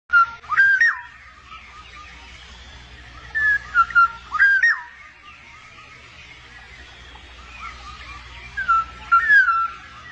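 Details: Wild black-naped oriole pair feeding their chicks: loud, liquid whistled phrases with quick up-and-down sweeps, in four bursts across ten seconds. Fainter bird calls run underneath throughout.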